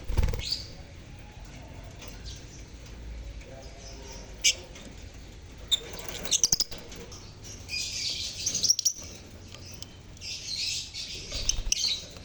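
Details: Lovebird (Agapornis) colony sounds played to prompt silent lovebirds to sing: sparse clicks and faint twittering at first, then from about six seconds dense shrill chirping swells in bursts, with a brief low background voice.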